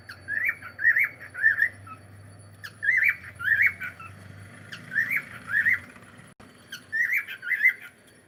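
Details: Pet cockatiel calling indoors in a small room: loud, warbling squawked notes, wavering and rising, grouped in twos and threes with short pauses, about one call every two seconds; faint low hum beneath.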